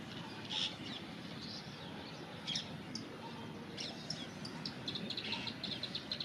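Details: Plain prinia perched on a tree branch in forest, giving scattered high chirps, then a fast run of short repeated notes near the end, over a steady hiss of background noise.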